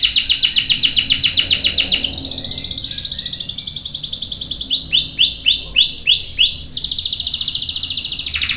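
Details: Canary delivering a long roll to spur other canaries into singing: a pulsing trill, soft chattering notes, a run of swooping whistles, then a steady buzzy roll.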